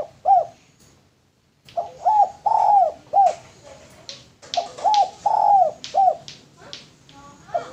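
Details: Male lure spotted dove repeating its three-part cooing phrase several times, short hollow notes and longer drawn coos, with clicking and tapping noises between phrases.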